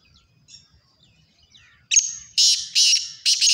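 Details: Black francolin: after nearly two seconds of faint, thin chirps, loud harsh rasping notes burst in, four strong grating calls spaced about half a second apart.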